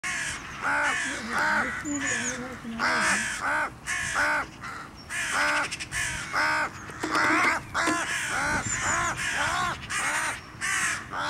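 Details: Crow fighting off a goshawk, struggling almost desperately and using its own claws to keep the hawk's talons away; loud, harsh, hoarse caws repeated in rapid irregular bursts, some strained and drawn out, with a high thin squeal in the background.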